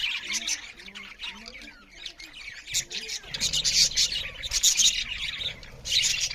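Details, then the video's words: A group of budgerigars chirping loudly as they eat, continuous squawky chatter and sharp chirps that grow busier toward the end, over low rumbling background noise. "Beautiful Budgerigars parrots Chariping loud with Something Budgerigars Eating"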